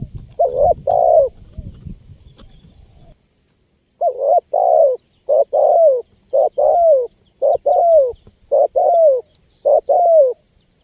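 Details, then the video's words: Lively calling spotted dove, used to attract wild birds: after a few seconds of low background noise, clean paired coos repeat steadily, each pair a short note followed by a longer, falling one. "SUARA LANGKA BURUNG TEKUKUR GACOR PALING AMPUH 2024 UNTUK PIKAT BURUNG LIAR"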